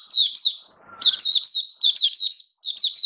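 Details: Caged oriental white-eye (Mata Puteh) singing on 21 October 2022: bright, high twittering notes in quick rising-falling slurs, grouped in short bursts with brief pauses and a faint lower buzz near the first second.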